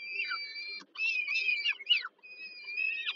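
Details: Mother peregrine falcon feeding her young at dinner in Warsaw, Poland, on 15 July 2022: drawn-out whining cries and jumbled squealing notes, with a falling tail on several calls and two short pauses.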